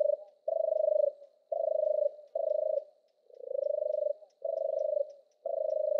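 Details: Singing European turtle dove: a steady string of low, vibrating purrs, each under a second long, following one another closely in a soft rolling rhythm; nothing else audible.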